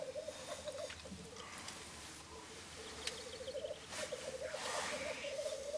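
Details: Early-morning lek at Filsartrusket, Florarna, 17 April 2013, with three black grouse males displaying; mellow bubbling trilled cooing phrases in continuous runs, over a noisy hiss of rushing broadband sound.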